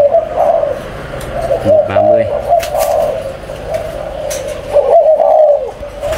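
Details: Caged breeding pair of spotted doves kept indoors in a small room: low, soft cooing phrases held near one pitch, swelling and fading, with a man's brief Vietnamese speech near two seconds and faint background noise.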